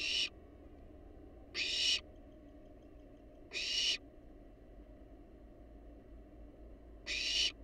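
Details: Hissing screeches from wild barn owls using a research-monitored nest box, picked up on its camera. Four rasping, broadband bursts of under half a second arrive at uneven gaps of about two to three seconds, with a constant low hum underneath.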